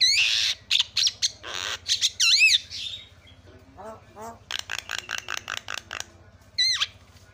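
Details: Javan myna calls meant to prompt other mynas to call back, mixing rasping squawks, whistled upslurred and looping notes and low croaking rattles, with a steady low hum in the background.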